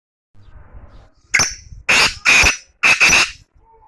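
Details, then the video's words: Black francolin call near Chakwal: after faint low rustling, a short sharp note then three loud harsh grating bursts, each about half a second, with strong overtones, the last two in quick succession. "کالے تیتر کی آواز"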